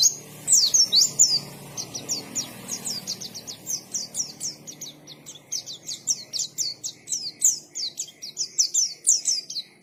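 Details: White-eye singing actively in the 'ngalas' style: a long run of rapid, high, sharp chirps and short slurred whistles in quick bursts, with faint low background noise.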